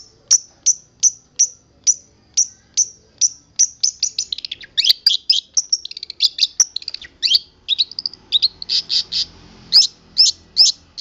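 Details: Long-tailed shrike from Boja, singing a song stuffed with imitated sounds. Sharp high notes repeat evenly about three per second, then break into a rapid, varied jumble of chips, twitters and squeaks before returning to spaced single notes.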